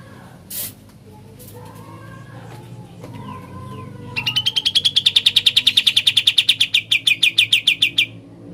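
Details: Sooty-headed bulbul delivering ngebren-style song: after a quiet start with faint murmurs, a long four-second string of about thirty quick, slightly rising chip notes.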